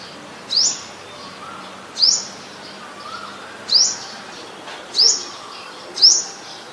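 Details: Olive-backed sunbird in mangrove forest: five bright, high, rising chirps evenly spaced about every second and a half, with faint background hiss.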